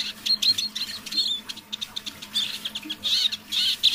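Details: A tame pet Eurasian siskin sings softly in the evening, at half voice, giving a high twittering song in quick bursts with thin squeaky notes.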